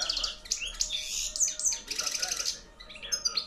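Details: Hand-reared 2013 European goldfinch of wild type, caged, in full loud song: fast, sparkling high trills and chattering notes, with a brief buzzy stretch midway, continuous and energetic.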